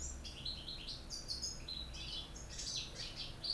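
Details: Goldfinches from Corsica, North Africa and Spain, caged, pour out a fast, tinkling twitter of high, liquid notes and short buzzy trills without pause, over a faint low hum.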